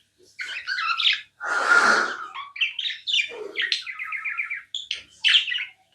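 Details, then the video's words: Budgerigar kept as a tame pet, chirping: a burst of scratchy notes, a long rasping screech, then a fast rattling trill and squeaky chirps separated by short gaps. "Non stop budgie chirping sounds"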